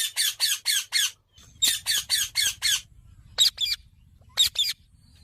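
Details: Hand-fed sun conure chick making loud, grating, high squawks in rapid runs of four or five, followed by shorter scattered pairs of calls, with faint low background hum.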